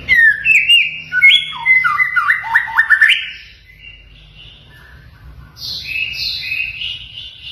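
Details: White-rumped shama (murai batu) masteran training song with mimicked phrases (isian) of cililin, kenari, konin and katem. Rapid varied whistled notes jump and slur up and down, then pause, then resume with higher buzzy, sliding phrases.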